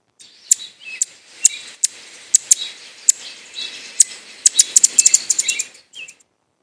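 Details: Anna's hummingbird in a city, probably defending its territory and chasing another bird away, gives sharp high dry chips, spaced at first, then a rapid excited burst of chattering notes near the end.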